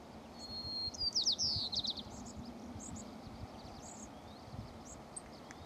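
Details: White-crowned sparrow (Zonotrichia leucophrys) song at Dorena Genetic Resource Center, Umpqua National Forest, Oregon, USA: one clear high whistle, then a quick run of buzzy, slurred trill notes, faint high chips after, over low background rumble.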